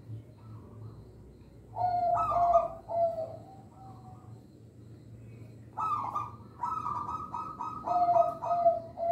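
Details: Local zebra dove song for luring young birds and encouraging reluctant caged doves. Soft early coos lead into a louder trilled phrase, a quiet gap, then a long rapid pulsing trill with lower coos. A steady low hum runs underneath.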